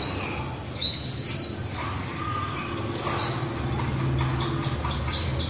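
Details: Líu-style song of a female white-eye: rapid high twittering for about two seconds, a quieter stretch, then a sudden loud bright burst of sliding notes followed by softer chittering.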